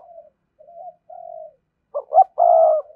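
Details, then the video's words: Spotted dove full song for stimulating newly caught doves. Quiet drawn-out murmurs, then a sharp double note and a strong sustained coo near the end. "tiếng cu gáy đủ bài kích thích bổi nghe nhanh về cội nhất"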